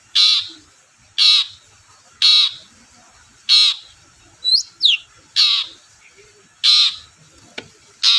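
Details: Long-tailed shrike used to goad other shrikes into singing: loud grating calls repeated every second or so, broken by two quick squeaky upward notes, with a faint click near the end.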